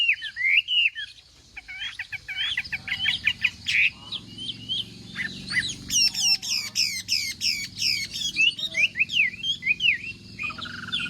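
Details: Chinese hwamei singing in the morning as contest practice, a loud varied run of clear whistled phrases with rising and falling notes, rapid repeated high chirps in the middle, then looping slurred whistles.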